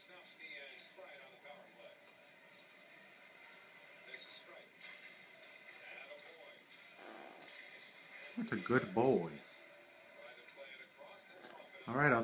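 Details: A 22-year-old pet yellow-naped amazon at bedtime, when he nightly says "Good night, sweetheart", talks in short speech-like phrases with louder bursts near the end, over a steady indoor hum and quieter voices.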